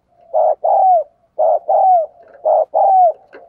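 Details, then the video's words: Captive decoy spotted dove cooing to lure wild doves: three paired phrases, each a short burred coo followed by a longer falling coo, spaced about a second apart. Indoors, no other sounds. "Chim Cu Mồi Thúc Và Gáy Gọi Rất Sung"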